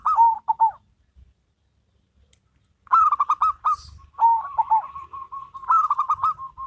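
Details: Local versus crossbred zebra doves in duet. A short coo phrase, a pause, then loud rolling bursts of pulsed cooing that run almost continuously, overlapping with soft repeated notes.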